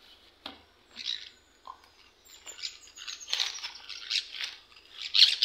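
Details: Pet green parakeets calling while being fed, giving a busy run of shrill chirps and chattering squawks that build in loudness toward the end, with a few soft clicks and knocks early on.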